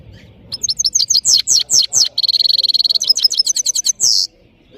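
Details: European goldfinch, known locally as saira, singing strongly in Parachinar: rapid high twitters, a sustained buzzy trill of fast-pulsed notes, then more chirps ending in a short harsh buzz.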